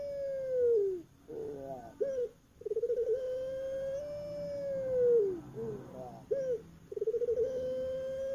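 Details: Night song of a kept puter pelung dove, Streptopelia risoria, known on Java in Indonesia: a signature gurgling 'kooook' with rapid throbbing onsets that swell into long level tones, dropping in pitch at each close, repeated in a steady sequence.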